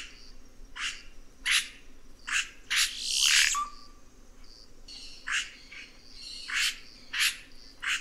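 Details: Red-rumped cacique song: rapid series of sharp broadband clicks and chacks, a harsh loud burst with a short flat whistle, over a steady low background hum.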